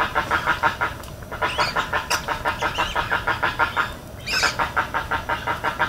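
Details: Spoonbill in Everglades National Park giving fast repeated raspy pulses in long runs, with sharp high chirps and squeals from other birds in the background.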